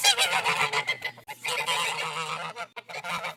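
Geese honking loudly and continuously, harsh nasal calls overlapping in a rapid, noisy chorus with brief gaps.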